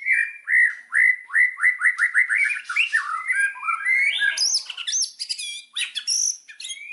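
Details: Indonesian white-rumped shama singing a trigger song to spur other birds into song: a quick series of clear repeated whistles, then looser warbled phrases sliding into sharp, high, scratchy notes and bright upward flourishes.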